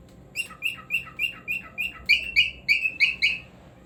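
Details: Pet cockatiel singing: a steady run of bright, harmonic chirps, about four per second, growing louder and higher toward the end before stopping, over a faint low room hum.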